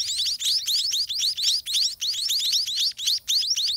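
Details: White-rumped munia chicks in a garden nest, hungry while parents feed them, give a dense, rapid stream of thin, high, downslurred chirps, several per second and overlapping, with no other sounds.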